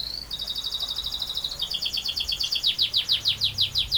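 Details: Canary in long rolling song: a rising whistle, even pulsed trills at high pitch, then loud rhythmic descending notes repeated about seven times a second.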